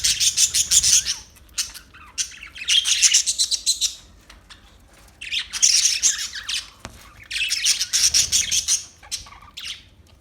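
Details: Parakeet chattering in four long bursts of rapid, shrill chirps, each lasting about a second or two, with quieter single notes in between.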